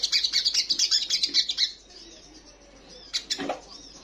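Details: Female ruby-cheeked sunbird in breeding condition calling a male: a rapid, pulsing, high trill for nearly two seconds, then a few softer scattered chips.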